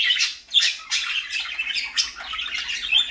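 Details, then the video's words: A few parakeets in the morning, loud shrill chirps and grating squawks tumbling together in a rapid, unbroken chatter. "parakeets morning fun"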